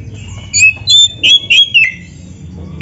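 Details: Oriental magpie-robin singing canary-style material: a run of five or six short, bright whistled notes about a third of a second apart, each slightly slurred, then a pause and a final clear whistle.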